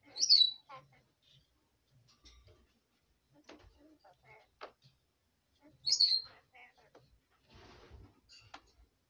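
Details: Bedtime jabber from a pet female red lorikeet indoors: two loud, sharp whistled squeaks about six seconds apart, with soft clicks, mutters and scratchy murmurs between them.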